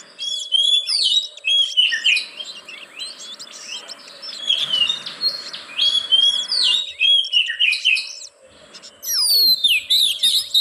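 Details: Song of an oriental magpie-robin, played as a lure for caged birds that are reluctant to sing; a long, varied stream of whistled slurs, quick chips and rattles, pausing briefly before a bright final burst.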